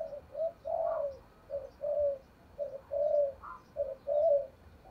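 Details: Spotted dove coo meant to incite fighting and lure wild doves. A steady series of mellow coo phrases repeats about every second against a noisy, hissing background.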